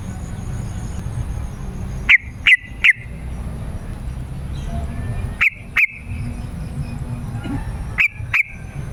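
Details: . Yellow-vented bulbul lure song for calling wild birds in woods and gardens, and as a tutor for caged birds. Three bursts of two or three sharp, clear notes, spaced about three seconds apart, over soft background hiss.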